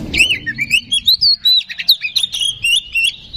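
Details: Oriental magpie-robin singing as a provoking lure: a continuous stream of clear warbled whistles, rising and dipping, broken by quick sharp chip notes.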